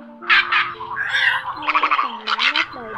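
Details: A great egret call recording, sold for use as a lure in night net-trapping, gives harsh, grating squawks in quick bursts, about one and a half a second, over a steady low electronic hum and faint tones.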